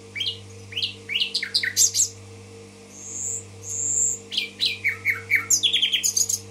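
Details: Song of a common nightingale from Tashkent: a run of sweeping downslurred notes, two long pure high whistles, then a quickening stutter of descending notes and chirps; low electrical hum throughout.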